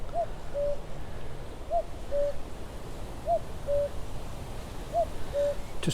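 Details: Common Cuckoo, close by but unseen, at Summer Leys nature reserve, UK, on a summer morning of strong winds, gives its classic two-note 'cu-coo', the second note lower, four times about every 1.5 seconds over low wind rumble.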